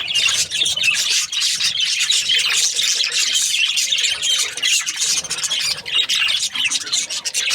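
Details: Several budgies keep up a busy stream of harsh chirps, squawks and squealing notes, overlapping and nearly unbroken, with a faint low hum underneath.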